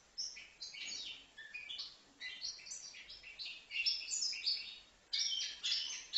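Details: A young goldfinch, aged five months, from Livno sings almost continuously, a bubbling mix of sharp chirps, short trills and twittery high notes with brief breaks.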